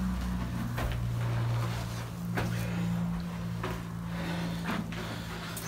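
A low hum runs under scattered knocks and thuds, with no animal calls heard.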